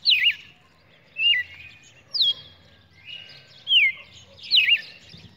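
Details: Red-cowled cardinal recorded on 23 June 2019, delivering six clear whistled phrases, each a quick wavering slur, spaced about one second apart, with soft low background noise.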